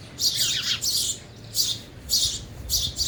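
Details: Sparrows at a feeder, eating, calling in short bright chirps about every half second, high and clipped with a brief lower twitter early on, over a low steady hum.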